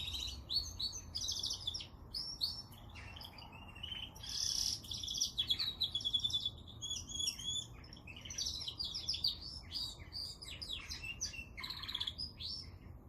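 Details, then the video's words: Canary delivering a long, varied song of high chirps, whistled notes and rapid trills, with loud bursts and short gaps, background otherwise quiet. "Canary singing / Śpiew kanarka"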